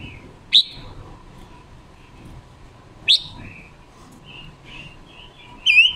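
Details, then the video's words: A female decoy red-billed leiothrix, recorded October 2021 and used to stimulate other birds to sing, gives bright, high chirped notes about every two and a half seconds, with soft twittering between and a steady low hum. "Ngũ sắc mồi già rừng hót hay, ngũ sắc mồi luyện giọng hót của chim già rừng ngũ sắc mái mồi"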